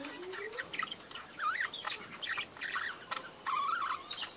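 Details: Budgerigar breeding colony with softer warbling chatter: wavy, up-and-down whistled notes and short chirps, one rising slurred note opening the sequence and a bright bending whistle near the end.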